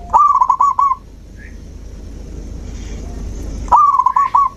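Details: Zebra dove, song for stimulating a bird that stopped singing: two clear phrases of rapid rolling coos, each about one second long, separated by nearly three seconds of quiet hiss.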